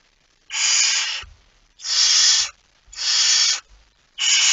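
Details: Barn owl with a mouse, 01:49 at night, 17 September 2019: four loud, drawn-out snoring hisses, each about three-quarters of a second, evenly spaced at about one-second intervals, with faint knocks between.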